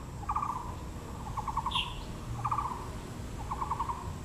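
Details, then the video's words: Four evenly spaced grating rattles, about one per second, from a Taiwan blue magpie at Yangming Park, Yangmingshan National Park, Taipei, near azaleas, plus a single high squeal and soft low hum. "(藍鵲+杜鵑花)(Natural sound)"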